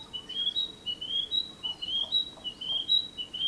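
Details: Narcissus flycatcher singing, recorded in 2017: bright, high whistled two-part notes repeated quickly and steadily, each a slurred rising whistle followed by a clear tone, giving a lilting, rhythmic phrase over soft background noise.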